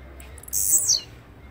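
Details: Blue-black grassquit giving its brief song: a shrill, high buzzy note that slides downward at its close, preceded by a few tiny ticks.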